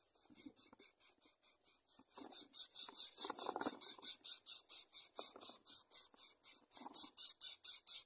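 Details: Greater coucal chick being brought food by its mother gives insistent rasping hisses, regular pulses roughly twice a second that grow louder and continue throughout, over shuffling and rustling noises.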